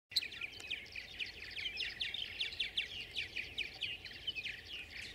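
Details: Many Tree Swallows competing hard for nest boxes give a dense, overlapping chatter of bright, liquid chirps and twitters, with no pause, over faint background noise.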